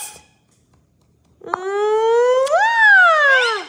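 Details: Pet blue Indian ringneck (rose-ringed) parakeet in Nova Scotia, Canada, talking: one long voice-like wail rising in pitch, then sliding down after about a second, in a quiet room.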